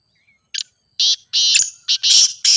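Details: Grey francolin, local name ghogha teetar, calling loudly for training a kept bird. A faint short whistle, then a quickening series of harsh, grating, broadband notes of uneven length.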